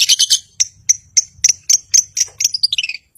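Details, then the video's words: Long-tailed shrike song used to rouse silent birds: quick scratchy chatter, then a series of high piping notes, ending in a falling run of whistled notes. "Cendet Gacor Si Pemancing Lawan Sangat Ampuh Mengatasi Burung Yg Membisu"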